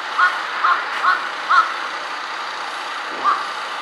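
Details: Jungle crow perched on an electric wire, changing its voice among four kinds of calls; five short, hoarse caws, four in quick succession and a last one after a pause, over steady traffic-like background noise.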